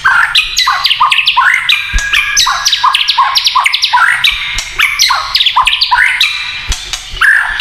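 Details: Dense, nonstop crackling chatter of rapid varied notes from a white-rumped shama singing kretekan style to provoke other shamas, with a few sharp clicks.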